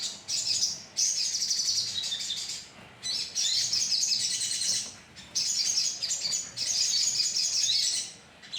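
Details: Lure sound of a sogon colony: blocks of intense, high-pitched chirping chatter lasting one to two seconds each, separated by short quiet gaps, with many birds calling together.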